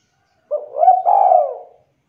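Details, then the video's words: Spotted dove calling to draw replies from other doves: a single mellow, hoarse coo phrase lasting just over a second, a short rising note flowing into a long, slightly falling hum, in quiet surroundings. "DERUK DERKUKU TEKUKUR GACOR BIKIN DERKUKU APAPUN AUTO LANGSUNG NYAUT DAN GACOR"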